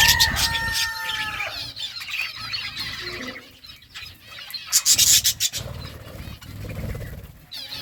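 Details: Several birds chirp while eating food. Sustained whistled tones and rapid twitters open the stretch, a scratchy rasping texture fills the middle, and a loud burst of sharp chirps arrives near the end.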